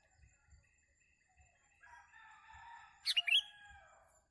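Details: Sooty-headed bulbul sound used for bird trapping: faint thin tones, then a sudden loud burst of three quick, bright, twisting whistled notes near the end, over soft low thumps.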